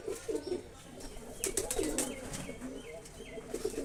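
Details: Pigeons kept for rearing, cooing in low, rounded burrs that repeat in short bursts. A few thin higher chirps from other birds and some brief rustling clicks sound behind them.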